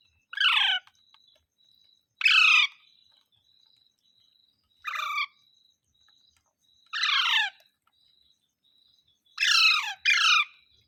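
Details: Parrot, green, repeating mitthu mitthu: five or six hoarse, downward-slurred syllables spaced about two seconds apart, the last a quick double, over a faint continuous high-pitched hum.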